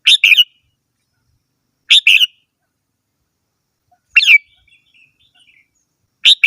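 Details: Red-whiskered bulbul repeating short two-note chirpy phrases about every two seconds, one phrase trailing into faint soft twittering, in a quiet setting.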